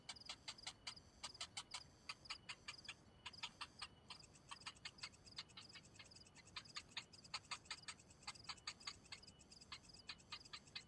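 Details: Hungry cinnamon bittern chick waiting for food while its parent brings none: rapid, high, dry ticking notes in irregular bursts of several per second, continuing throughout over a quiet background.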